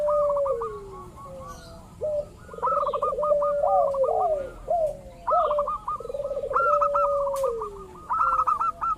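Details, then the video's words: Local zebra dove calls used as a lure to draw rival doves into calling: rolling, trilled coos low in pitch sliding downward, overlaid by rapid series of short clipped higher notes repeated in bursts, several overlapping callers. "pancingan burung perkutut lokal ampuh , perkutut lokal jago memancing lawan bunyi"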